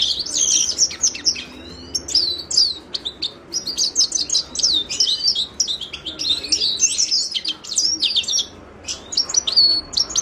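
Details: Himalayan goldfinch (Carduelis caniceps) singing a fast, continuous twittering song of high, sharply modulated chirps and buzzy trills, with brief pauses between bursts.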